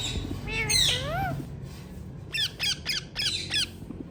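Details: Hand-tame ringneck parrots calling indoors: a long harmonic upward-then-downward wail followed by a quick series of four or five sharp, descending squawks, roughly one every quarter second, over low room hum.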